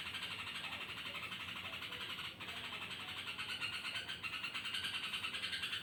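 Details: At night a yellow-vented bulbul gives an odd, strange call. Fast, grating pulsed notes repeat almost two per second without pause, dipping briefly halfway through before resuming, over faint low background noise.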